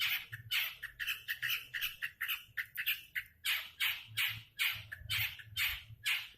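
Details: Long-tailed shrike giving harsh, rasping squawks about twice a second, each a broad noisy burst, with a few shorter scratchy notes between them.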